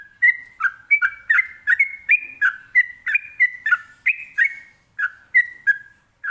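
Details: Trucukan (sooty-headed bulbul) delivering rapid ropelan song to provoke other birds into answering: steady unbroken series of ringing whistled phrases, roughly three each second, alternating higher and lower pitched notes for over six seconds.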